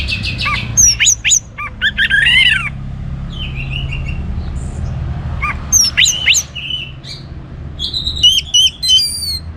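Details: Energetic orange-headed thrush song meant to stimulate other birds: varied high chirps, buzzy trills and whistled phrases in irregular bursts, with a faint low hum behind.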